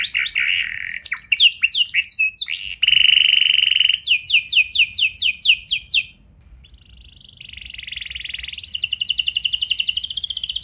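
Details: Canary lure song in a fancy, varied style with long runs, aimed at getting other canaries singing. Mixed slurred notes, a steady buzzy phrase, rapid sweeping whistles, a brief pause, then a soft and a louder rolling trill.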